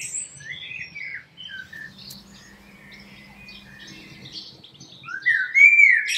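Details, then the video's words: Common blackbird singing: scattered faint high twittering notes, then a louder fluted phrase sliding upward near the end, over a steady low hum. "Heute Vogelgesang der Amsel"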